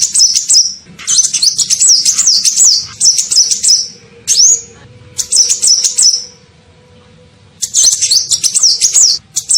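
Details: Kolibri ninja, the olive-backed sunbird, giving a lure call meant to draw in other birds: sharp, high chattering runs of zigzag notes, an isolated upslurred whistle midway, then a pause before another twittering burst.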